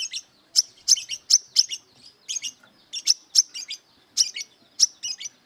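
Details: Brown-throated sunbird, aggressive and seeking rivals to fight, sings steady volleys of shrill chirps and short buzzy note pairs, roughly three to four notes per second with small gaps.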